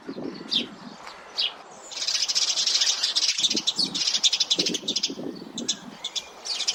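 Sparrows chirp in a busy, overlapping chatter of short, high notes, several calls per second. Low, muffled thumps sound underneath.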